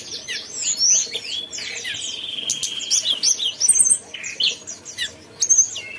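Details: Mountain tailorbird pouring out rapid high chirps and slurred whistles, with a buzzy sustained stretch in the middle before further bright squeaky notes.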